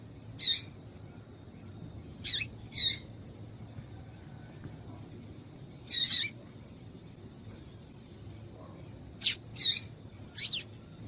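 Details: Female double-collared seedeater calling to stir a silent male into singing: short high chirps in scattered ones and pairs, some sharp and clicky, others buzzy with a lower band, spread across about eleven seconds over a quiet low hum.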